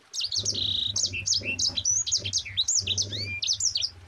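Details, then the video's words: Mozambique canary (sanger) delivering a dense 'ngerol rapat' rolling song meant as a master for other songbirds: continuous rapid high whistled sweeps, buzzy trills and upslurred notes without pause, over a steady low mechanical hum. "Suara Burung Sanger Gacor NGEROL RAPAT"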